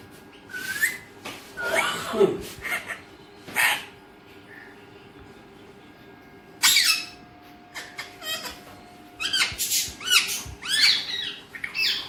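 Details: Pet Alexandrine parakeet in a small room producing scattered squeaks, a brief whistled upslur and clusters of scratchy squawks, with quiet pauses between the bursts.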